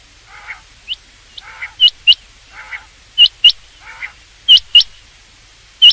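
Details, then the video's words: Rain quail, a sound used for hunting: sharp high notes in pairs, alternating with lower, softer, blurred calls at regular intervals throughout. "rain quail sound for hunting چنگاکی آواز شکار کیلئے"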